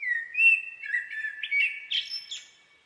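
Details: Common blackbird singing a mellow fluted warble that wavers at mid pitch, then ends in a quick burst of high, squeaky twittering notes; no other sounds are heard.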